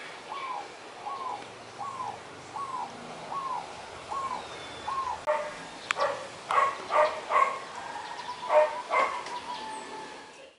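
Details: A zebra dove restlessly follows another in courtship, calling for attention: a run of short, arched coos about once a second, then louder, broken staccato cooing bursts over a soft background hiss.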